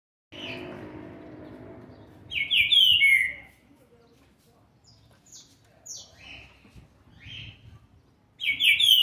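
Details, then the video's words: Young green-winged saltator, seven months and twenty days old, described as brabo, recorded 13 November 2020: two loud whistled phrases sliding downward, separated by a long quiet gap with soft background rustle. "trinca ferro ( BRABO ) FILHOTE DE SETE MESES E 20 DIAS JÁ MOSTRANDO SUA GENÉTICA"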